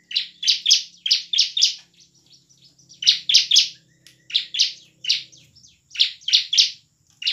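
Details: Emotional gacor song of a bar-winged prinia in ngebren and nembak style, played to make lazy birds sing; rapid bursts of buzzy chips, about four per second, in runs broken by short gaps over a low hum.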